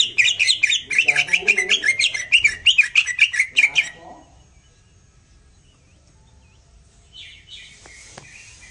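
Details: Greater green leafbird master song intended to make birds sing jantrok: four seconds of rapid, wavering chattered notes, then near silence with a faint high twittering near the end.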